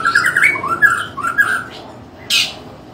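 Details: Loud fighting-style song from a Medan white-rumped shama: a quick string of rich warbled whistles, then a brief pause and one harsh, noisy high burst.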